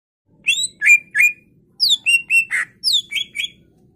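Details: Greater green leafbird full varied song, used as a lure to get other leafbirds singing and agitated: loud whistled notes that slur downward, given in three quick bursts separated by short pauses, with a faint low hum beneath.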